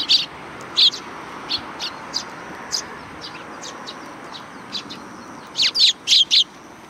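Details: Sparrows greeting visitors at a Tenmangu shrine in July 2020: bright, short chirps scattered across the clip, some single and some in quick pairs, ending in a louder burst of three or four close chirps over a steady background hiss.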